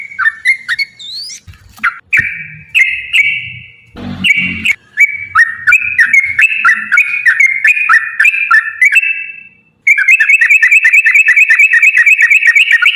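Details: Yellow-vented bulbul in long, lively rapid-fire song, used as a lure to make other bulbuls sing: fluty whistled phrases around mid pitch, a brief noisy burst near four seconds, then a fast, even run of repeated bright notes.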